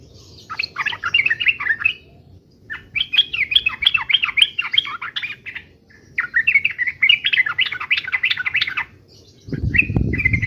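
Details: Three long, rapid chattering phrases of mixed warbled notes from a yellow-vented bulbul giving fighting song, then a short bubbly burst masked by a sudden rush of low noise at the end.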